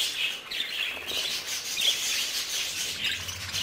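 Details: Baby budgerigars, three months old, produce a steady stream of high chirps and warbled chatter from several birds together, with faint background hum.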